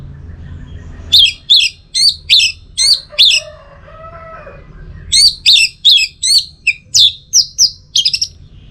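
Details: Orange-headed thrush (anis merah) singing: loud, sharp, varied whistled notes in quick series, a burst of about six notes, a pause with softer lower warbled tones, then a longer run of about ten notes.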